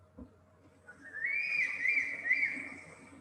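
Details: A Crested Serpent Eagle gives a single drawn-out, high whistle that rises, then wavers for about two seconds before fading, over faint low background noise.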